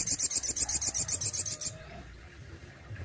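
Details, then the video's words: Captive Indonesian Crested Jay producing a besetan: a harsh, buzzy rasping rattle of evenly spaced pulses, about four per second, lasting under two seconds, then quiet. "SOGON ISTIMEWA ,BESETAN DAN TEMBAKANYA WOW BANGET || SOGON RAWATAN GACOR"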